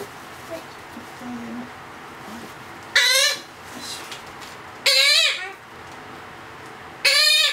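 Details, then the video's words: Blue-headed parrot chick aged two months being hand-fed: three harsh, grating squawks with a wavering ripple, spaced about two seconds apart, quiet indoor background between them. "アケボノインコのさし餌の記録 Blue-headed Parrot(Pionus)"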